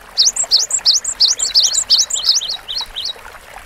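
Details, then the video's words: High, rapid two-note whistled phrases from a Cinereous tit in full song, slowing into a string of short peaked notes near the end, with light background hiss. "GELATIK BATU GACOR DURASI PANJANG MASTERAN SUARA BURUNG KECIL"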